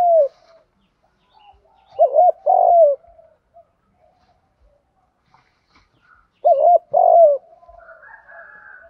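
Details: Spotted dove used as a decoy, cooing in the 'gù thúc' style: two low phrases of a rippling lead-in and an extended falling coo, about four seconds apart, faint higher tones at the end.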